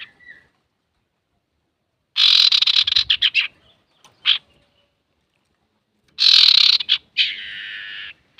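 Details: Male Common iora singing actively, recorded to provoke rival singers: a faint whistle, then long grating chattered bursts broken into rapid pulses, a short rasp, and more sustained harsh chatter.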